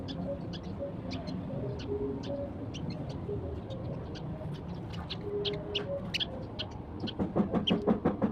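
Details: A few sparrows having breakfast at sunrise give rapid, busy high chirps, irregular and almost continuous, while a low background rumble persists and, near the end, a burst of loud, low, harmonic clucking-like calls joins in.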